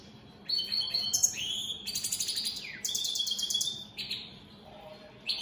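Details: European goldfinches of the opal split satiné colour mutation singing throughout the day; bright tinkling phrases of high whistles, rapid buzzy trills and a falling slur, interspersed with short pauses.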